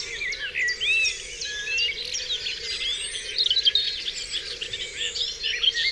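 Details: Several birds sing together at dawn on Dewlands Common, layered high chirps, rising whistles and quick trills crowding over one another, backed by a faint constant low drone.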